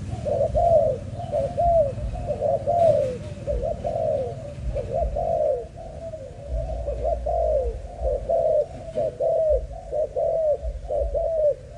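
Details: Malaysian spotted dove, a young bird kept for breeding, in a long run of soft, rounded coo phrases, short notes leading into drawn-out falling coos, delivered roughly once a second over low background rumble.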